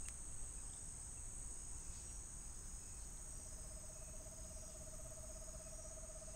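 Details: Screech owl calling a level, evenly pulsed low trill that starts midway and holds for about three seconds, soft beneath a constant shrill cricket chorus and faint background hiss.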